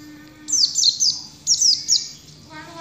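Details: Mountain white-eye singing in the style locally called "ngalas": two quick bursts of high, thin, sweeping notes, each made of three sharply down-slurred chirps, about a second apart, over a faint steady low hum.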